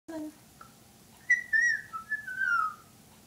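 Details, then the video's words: Pet bird on her 21st birthday gives a few clear whistled notes, a rising then level tone followed by shorter slurred whistles, after a brief low sound at the start; indoors and quiet. "Tango whistles"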